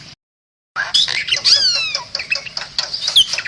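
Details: Bali myna singing, recorded as a master track for training other songbirds: after a brief silence, a burst of harsh chattering notes, squeaks and sliding whistles that sweep down in pitch, dense and loud.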